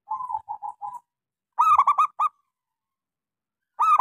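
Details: Local zebra dove with a small voice, sung as a lure to set silent doves singing: soft coos, then a loud burst of clipped, bright notes with a short tail, and another burst starting at the end.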